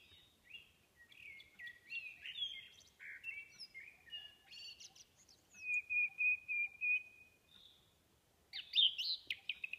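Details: Thrush song: a varied run of whistled and chirping phrases, then a long steady trilled whistle, followed by a burst of rapid, excited high notes. The background is quiet.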